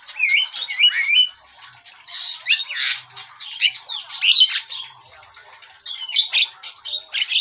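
A Black-winged starling sings a busy, jumbled song of harsh squawks, creaky notes and brief whistles, in bursts of about a second with short pauses.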